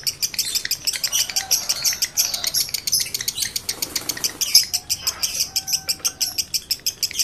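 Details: Breeding male lovebird used to stimulate other males; continuous high, dry chirping repeated about three times a second, with a brief scratchy flurry partway through.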